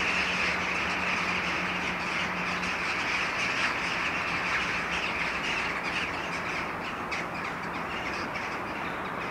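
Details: Many jackdaws settling down to roost when it is nearly dark, moving tree to tree, in a dense, steady chorus of short, sharp overlapping 'chak' calls, with a low background hum like distant traffic.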